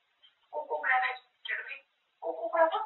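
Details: Talking grey parrot rattling on about food, three voice-like phrases with a rising, strained middle word and a short pause between each.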